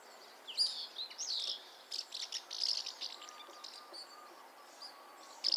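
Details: House martin, Delichon urbicum: a loose series of short, dry, high chirps and twitters of varying shape, some brief scratchy notes in between, with faint quiet background.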